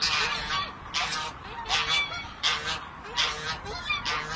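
A goose gives loud, nasal honks in a steady series, about six calls in four seconds, each harsh and brassy.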